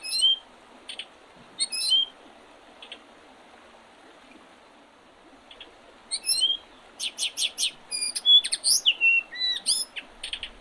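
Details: Early-spring birdsong at the Oredezh River, Leningrad Oblast, Russia, 8 April 2023: scattered high whistles and chirps, a quiet gap, then a lively run of rapid sharp chirps and slurred notes from several birds.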